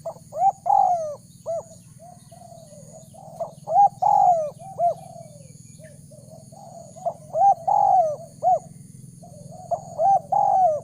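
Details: Repeated cooing of a spotted dove used to entice wild doves: several phrases of short double notes and a drawn-out falling coo, spaced a few seconds apart, over a low background hum.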